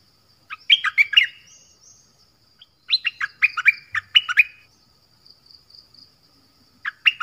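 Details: Song of the sooty-headed bulbul, its many phrases clear: short bursts of lively, bubbling whistled notes rising and falling, three groups spread over several seconds, with a faint steady high hiss.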